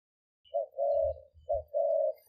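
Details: Spotted dove decoy recorded at a Thai dove camp in Roi Et. Two pairs of steady, level coos, a short note then a longer flat one, over low dull thumping and a sharp click at the end.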